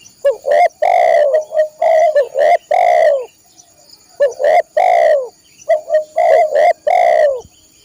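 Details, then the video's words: Spotted dove singing, recorded for training caged birds: rapid bursts of loud, mellow coos in grouped phrases of short stuttering notes ending in longer falling ones, repeated three times with short pauses; faint high whine throughout. "masteran burung tekukur/derkuku"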